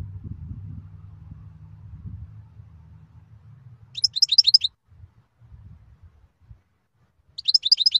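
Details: {'caption': 'European goldfinch song in two short phrases a few seconds apart, each a tight cluster of high, liquid twittering notes, following a stretch of low background hum.'}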